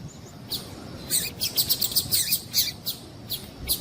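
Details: Female double-collared seedeater calls, played to get males singing. Sharp, sparse high chirps come in quick irregular bursts, some in pairs, over a steady low hiss.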